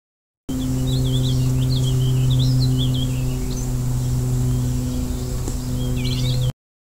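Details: A Warbling Vireo, recorded during Northeast spring migration, sings a fast, rambling, burry warble of rising and falling notes that runs on for several seconds, over a steady low electrical hum.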